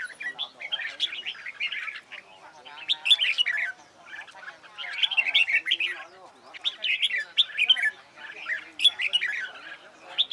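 Red-whiskered bulbul singing bright, bubbly phrases of chirps and warbles, repeated in bursts every second or two, mid-to-high pitched and lively.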